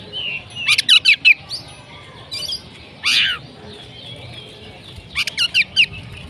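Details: Oriental magpie-robin singing konslet: rapid harsh rattling bursts, a rasping downswept note, then another quick series of buzzy chips. Steady low background noise throughout.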